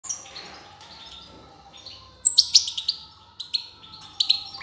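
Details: A young European goldfinch just out of the nest, 18 June 2020, gives bright, high twittering notes, quiet at first, then a burst of sharp chirps in the second half, over a faint steady tonal hum.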